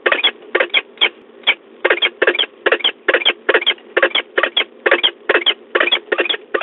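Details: A female peregrine falcon circling in flight at De Mortel at about 07:18 on 2 March 2022 gives a long, unbroken chattering run of harsh, scratchy kek notes, about two or three each second.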